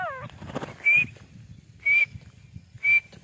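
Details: Female white teetar, a francolin, giving three brief, piercing high notes about one second apart over a low background rumble, with a few falling sweeps at the start.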